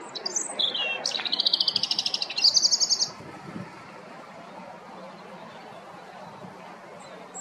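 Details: In the afternoon, a robin sings a high, thin, rapid phrase of trilled and warbled notes for about three seconds, then goes quiet over a faint outdoor hush.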